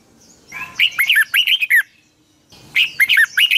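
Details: Red-whiskered bulbul sings in the morning in the long double twisting style (giọng kép xoắn dài), a 2020 recording used to train birds. A hurried phrase of warbling, slurred notes is followed by a short silence and another warbled run.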